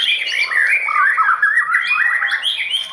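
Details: White-rumped shama, a competition-class songbird, singing a continuous, rich stream of varied whistled phrases that swoop up and down, with overlapping higher chirps and no pauses.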